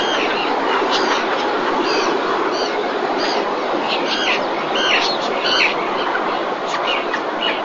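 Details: Common terns in the 2021 breeding season at Marismas Negras, Astillero, Cantabria, Spain, with a fish brought to the mother. Irregular sharp, rasping calls repeat over about eight seconds against a continuous loud hiss.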